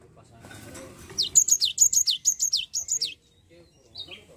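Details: Lure recording of a Java sparrow meant to coax a reluctant bird into song; a rapid string of about ten bright, high descending chirps over two seconds, followed by a couple of soft short notes.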